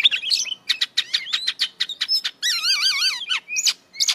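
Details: Kacer, or Oriental magpie-robin, pouring out full-fill song to excite other kacer: quick sharp chirps in a steady run, then a long warbling wavering trill, closing with two upward-hooked notes.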